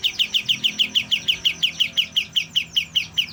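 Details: A young white-shouldered triller, just starting to sing, gives an unbroken run of loud, evenly spaced chirps, about five per second, clear and bright throughout.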